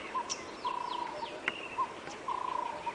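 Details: Black Cuckoo calling on an early-morning (5:30 AM) safari drive on 10 October 2016 near Djuma Game Reserve. It gives two long, mournful phrases of low, drawn-out whistled notes while other birds add thin, high chirps and slurred whistles.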